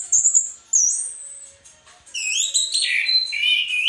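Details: Orange-headed thrush in gacor teler song, used to train caged birds: high whistled slurs, a brief lull, then a rich run of rising and falling warbled notes.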